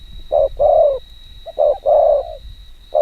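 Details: Spotted dove cooing rapidly in the kích bổi style: low hollow coos around 500–700, a short note then a longer drawn-out one, repeated in quick pairs over three seconds, with a steady faint electrical hum.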